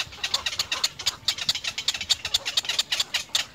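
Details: Loud, close little egret chicks at the nest call to their mother in crisp, scraping notes repeated very quickly, a steady harsh ticking chatter.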